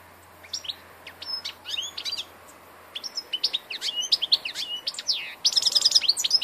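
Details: Old European goldfinch song recorded 2 August 2014: scattered twittering chirps and slurs grow busier, closing in a fast, glittering run of repeated high notes.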